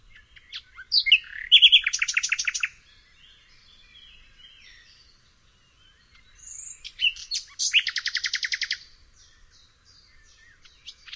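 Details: Common nightingale singing two separated phrases, each building from scattered chips into a loud, rapid run of repeated sharp notes, with quiet pauses between phrases and no other sounds.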